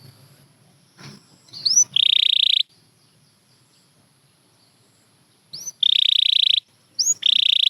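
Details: Canary song in sparse bursts: three buzzy, flat rolled trills, each under a second long. Each is introduced by a short rising chirp, with quiet gaps and faint low rumble between them.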